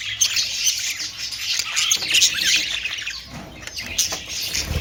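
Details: Budgerigars chirping and chattering steadily: many thin, high tweets and harsher squeaks overlapping in a fast, uneven rhythm.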